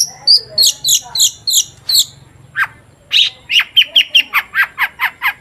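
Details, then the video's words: Long-tailed shrike in energetic 'gacor' song, used as a lure to make other shrikes sing: high sharp notes in a fast row, a brief drop, then a rapid series of repeated chirps nearly twice a second, with a faint low background drone. "Burung cendet gacor DOR BUAT PANCINGAN CENDET AGAR BUNYI"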